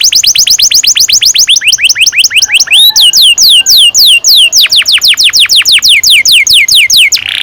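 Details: Canary in full song, a lure for young birds: long runs of rapid, high downward-sliding whistles, briefly broken by a rising swoop, then the fast repeated notes resume.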